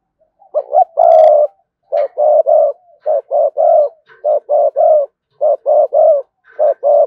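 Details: Rapid 'thúc gù' cooing of a spotted dove intended to draw in wild doves: a dense series of short, evenly spaced hoots in groups of two and three, with one longer coo near the start.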